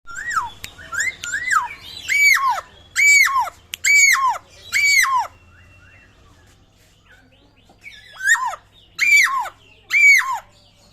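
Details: Papuan butcherbird, said to sound like a raptor: loud harsh downward-sweeping calls, each a bright note sliding steeply down, repeated in a rhythmic series of about nine with a pause midway; recorded close, seemingly indoors.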